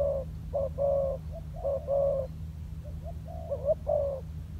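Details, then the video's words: Decoy spotted dove on the ground during training: a string of mellow coos that breaks off mid-phrase, then resumes with a wavering, rising note and one final full coo, over a low hum. "លលកធ្នាក់ចុះដីចេញក្បាច់បណ្តើរៗហើយ - Pikat Terkurkur trianing on land"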